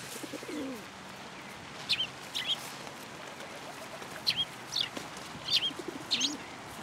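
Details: Sparrows come to a platform for food at a Tenmangu shrine on 14 February 2023. Short, sharp chirps repeat irregularly, about one every second. Soft low pigeon-like cooing is heard at the start, along with faint wing flutters.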